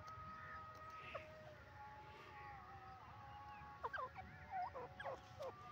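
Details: Francolin (teetar) calling while roaming free in the open: after a steady background hum, a quick burst of wavering, warbling harmonic notes rises and falls near the end, with a faint slurred note earlier.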